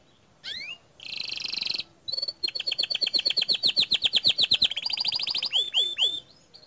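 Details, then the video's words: Canary in gacor dor song: an upward whistle, a buzzy rattle, then a long series of repeated high chirps speeding into a trill, ending in three looping downward whistles. "Kicau Kenari Gacor Dor"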